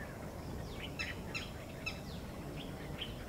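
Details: Red-breasted flycatcher at Mehrun Lake, 20 November 2023, giving faint, short, sharp chips spaced irregularly about half a second to a second apart, over a steady low rumble of background noise.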